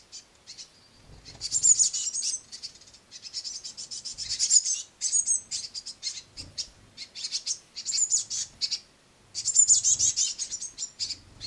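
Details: Great tit nestlings, a noisy brood being fed at a window sill by a parent, keep up a high, hissing chitter in several loud surges of a second or two, with quieter pauses between.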